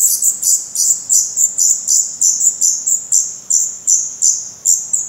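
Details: Nestling black redstarts, Portugal, 16 May 2020, eyes open, tail feathers turning rufous. Evenly spaced piercing high cheeps, about three per second, each a short sharp note fading off, repeated steadily.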